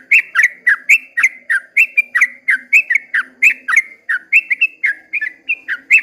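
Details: Long 'ropel' song of a sooty-headed bulbul at daybreak: a steady six-second flow of lively whistled notes, each rising or falling sharply, roughly four a second, over a faint low drone.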